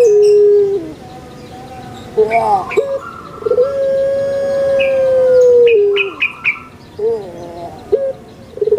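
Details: Puter pelung, a Barbary dove kept for its song, opens with a low steady note, then gives rough clipped notes and a long sustained coo of about two seconds, followed by wavering short phrases, with quick chirps from other birds.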